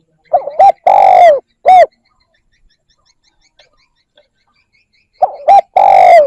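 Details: Spotted dove calling to lure other birds. Two phrases of low hollow coos: clipped double notes lead into a long drawn coo and a short tail note. Faint ticking sounds fill the gap between phrases.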